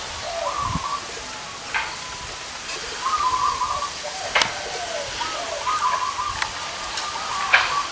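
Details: Zebra doves, large- and small-voiced, gathered at one location. Trilled coo phrases recur every second or two amid a rushing water-like hiss, sharp clicks, and a faint murmur.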